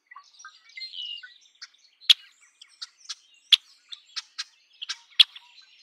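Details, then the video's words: Red-winged blackbird giving sharp, clicking chip notes at irregular intervals, with some softer chattering at the start. "Red winged blackbird Sound"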